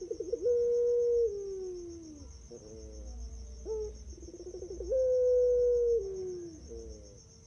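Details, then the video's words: Champion puter pelung turtle dove, recorded to encourage other doves to sing: wavering rolled notes open into long, clear, level coos that droop toward their ends, given twice, over a constant thin high-pitched whine. "Masteran Puter Pelung Cocok Untuk PANCINGAN agar Cepat GACOR"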